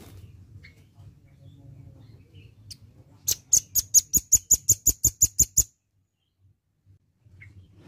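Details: Velvet-fronted nuthatch, a red-billed nuthatch, singing actively. It gives a fast series of about thirteen sharp, high, evenly spaced notes over roughly two seconds, then falls silent. A faint low hum runs underneath.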